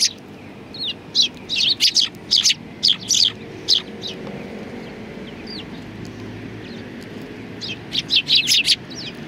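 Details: Sparrows on a shrine bench in Japan, winter 2020, producing clipped, high chirps in irregular groups of three or four, a quieter gap in the middle, then another rapid cluster near the end.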